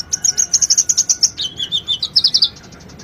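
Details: Sunbird (konin) song used as training master for cage birds: a fast even trill of high chirps, roughly eleven per second, dropping slightly in pitch halfway, then a shorter trill.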